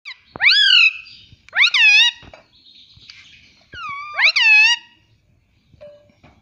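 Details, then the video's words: Pet Indian ringneck parrot indoors giving loud harmonic wailing calls, each sharply rising then gently falling, three main bursts over six seconds with faint softer chatter between. "cute Indian ringneck parrot"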